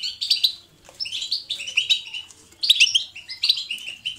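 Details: Pet European goldfinch giving a lively natural song of short twittering phrases and sharp tinkling chirps, with a quiet pause in the middle before the song resumes.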